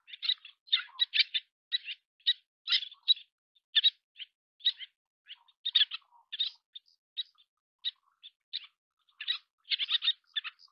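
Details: Little tern (Sternula albifrons) tending and feeding chicks: steady, rapid, harsh chattering calls in short clustered bursts throughout, high-pitched and scratchy, with brief pauses between groups.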